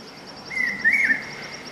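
A Large Hawk-Cuckoo gives a shrill, slightly wavering whistled phrase lasting under a second, over a steady, rapidly pulsing high insect drone.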